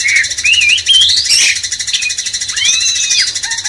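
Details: Sooty-headed Bulbul song used as a master recording to rouse a magpie-robin: bright whistled phrases sweeping up and down, ending in short lower notes, over a constant loud hiss.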